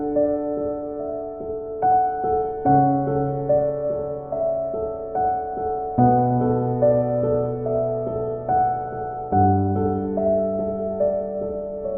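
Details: Soft, slow piano music with sustained chords plays throughout, and no animal voice can be heard.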